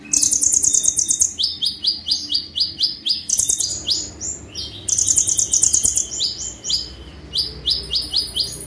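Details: Sunbird delivering 'tembakan' song: high rapid buzzy trills followed by strings of crisp descending chips, the pattern repeating across the phrase without pause.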